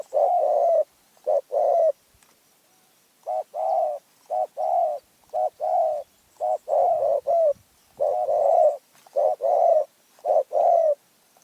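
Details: Spotted dove from Phrae with a small, fierce voice, cooing steadily in a dense sequence of short, low, hollow notes and paired coos, phrases following one another with only brief gaps.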